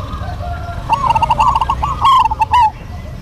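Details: A duet from local zebra doves in vigorous song. A quick string of soft, rolling coos runs into a brighter, stuttering phrase, with sharp clicking sounds and faint background hum.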